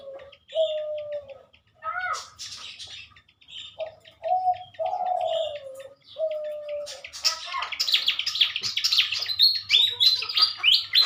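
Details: Pied fantail kept for matchmaking sings in the morning, 2023: low drawn-out cooing notes from another bird fill the first half, then a busy stream of high, squeaky, tumbling chirps takes over.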